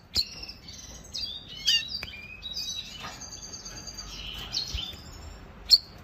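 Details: Caged Venezuelan goldfinch song heard more quietly: scattered high chirps and short twittered phrases with brief buzzy notes, separated by pauses, plus a few sharp clicks.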